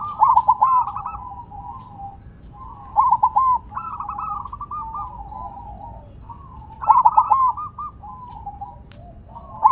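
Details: Silver-variety zebra dove singing while placed on the ground, giving a trilled, stuttering coo phrase of rolling notes that ends in drawn-out tones, repeated three times over about ten seconds against faint low background noise.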